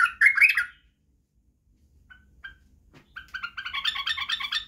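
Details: Badrawi white-eared bulbul, recorded as a singing lesson for chicks: a short liquid warble, near silence with a few soft notes, then a rapid, continuous chattering run to the end.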